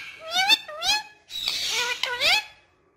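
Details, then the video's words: Talking ringneck parrot speaking indoors: a few high, nasal, word-like syllables with sliding pitch, then a raspy stretch and another rising syllable. "Loveable Talking Ringneck Parrot With Beautiful Voice"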